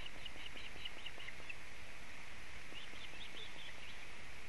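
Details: Osprey at its nest with a wet fish in Latvia, 4 July 2017, around midday: two runs of short whistled chirps, about eight notes each, separated by a brief pause, over a steady background hiss.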